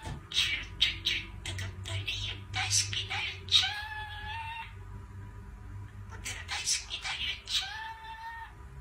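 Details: Pet budgerigar indoors singing the AKB48 song "Aitakatta": chattering, speech-like syllables, then two drawn-out whistled notes that slide upward, each lasting about a second, with a soft low hum in the background.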